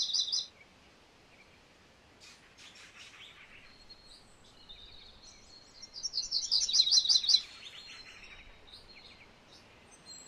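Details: MacGillivray's warbler song: a short high trill opens, then after several seconds of soft mixed bird chips a louder, rapid run of bright, buzzy notes rises in volume and stops abruptly.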